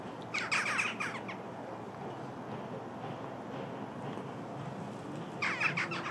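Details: A lively flock of jackdaws at Embrun, 21 November 2019 at 16:45: two bursts of harsh, overlapping squawking calls, one at the start and one near the end, with steady broadband background hiss between.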